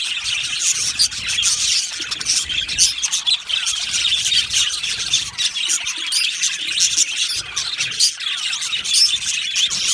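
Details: Many budgerigars calling together in an aviary: rapid, overlapping chirps and short squawks forming a steady high-pitched chatter throughout.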